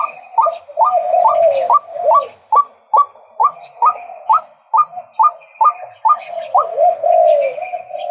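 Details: Male white-breasted waterhen giving about seventeen sharp, upward-flicking calls at a quick, regular tempo. A drawn-out, rougher phrase closes the run.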